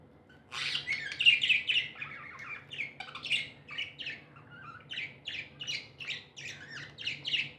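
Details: Happy pet budgies in a tame flock chatter busily, a long run of rapid, harsh, scratchy chirps, roughly four per second and uneven, over a faint background hum.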